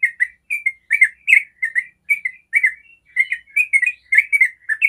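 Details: Yellow-vented bulbul singing the long rapid 'ropel panjang' style, used as a lure to get other bulbuls singing back. Quick bubbly chirped notes in tight bursts with a brief pause midway, then more rapid chattering phrases. The background is otherwise clean.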